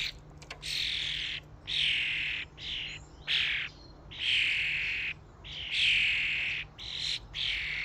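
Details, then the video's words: Common starlings crowding a feeding station give a steady stream of rasping, wheezy chatter in blocks lasting about a second, separated by brief gaps, over a faint low hum. "Starlings invasion at the feeding station | Staren Invasion an der Futterstation"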